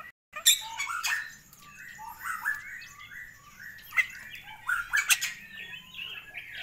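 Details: Bali myna with a long crest in gacoran song: sharp clicks and scratchy bursts mixed with short whistled notes, loud at the start and again near the end, quieter and more broken in between.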